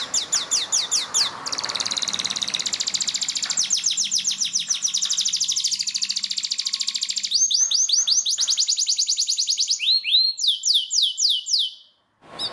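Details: A yellow canary in song training delivers a long continuous sequence of very high, rapid rolling trills, each run changing to a new note type, ending with slower swept chirps before a brief silence.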